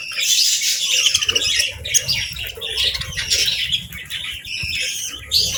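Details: Budgies on a calm morning during feeding and bathing give a continuous busy chatter of high, harsh squawky chirps and twitters, layered and overlapping with no pauses.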